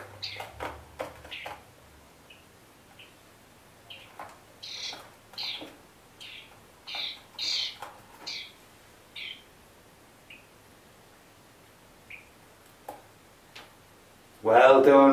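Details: Rescued hungry European starling fledgling being hand-fed mealworms and taught to eat: short harsh begging notes repeated irregularly, some louder bursts, with a person praising it and a loud rustle at the end.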